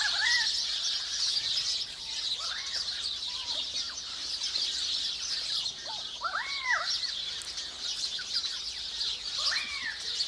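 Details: Forest currawongs giving scattered single arched, bell-like calls spaced a few seconds apart, partly masked by a dense high chorus of sparrows and other birds.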